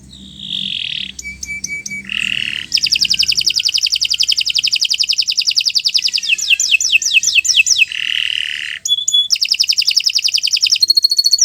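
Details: Long canary song used as a training model: held whistled tones and short notes, then an extended rapid trill with falling sweeps, another held tone, and more fast trills.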